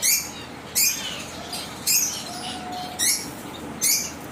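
Zebra waxbills give high, thin chirps in short bursts, five in about four seconds at an uneven pace, over a faint steady background hum.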